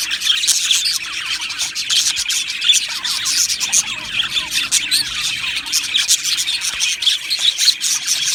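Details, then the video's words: Colony of budgerigars kept in an aviary, a constant high-pitched warble of chirps and scratchy squawks from numerous birds, steady in loudness throughout. "Beautiful Budgies Birds Singing and Chirping Sounds"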